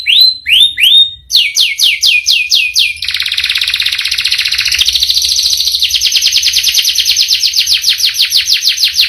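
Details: Canary's long rolling song opening with a few rising whistled notes, then rapid falling notes, a buzzy high trill, and a long fast roll of repeated notes to the end.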